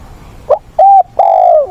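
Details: Spotted dove decoy singing in the manner of a wild-caught bird to coach newly trapped doves: a brief rough note, a steady mid-pitched coo, then a longer coo that droops as it ends.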